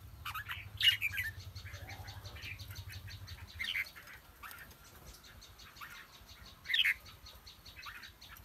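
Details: Red-whiskered bulbul, a decoy fighting bird from Kim Bôi, Hòa Bình, gives a few short bright warbled phrases spaced several seconds apart over a low steady hum and faint background chatter.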